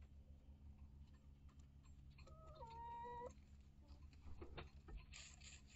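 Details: Chickens inside a coop and run, a flock of mature Rhode Island Red, Barred Plymouth Rock and Light Brahma hens with young chicks, live camera; one drawn-out, harmonic, wavering call rising slightly, over a steady low hum and faint ticks.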